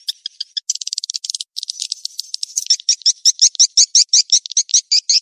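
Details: Swiftlet calling lure of the 'kejar kawin' (mating chase) type: rapid, sharp chirps that start sparse and uneven, then settle into a steady run of bright, piercing twitters, about three per second, over a clean, silent background.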